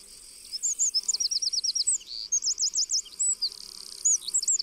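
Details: Eurasian wren pouring out fast, very high stuttering trills of repeated sharp notes in quick bursts, with brief pauses between phrases and a constant hissing background.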